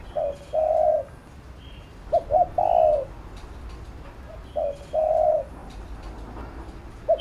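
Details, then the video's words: Spotted dove call used in training a decoy bird: low mellow coos, short double notes leading into a drawn-out hoot, phrases repeated about every two seconds, with faint chirping around. "Cu Gáy THÚC GÙ Siết Bổi Đẳng Cấp/ Kích Mồi Tập Bổi Căng Đét"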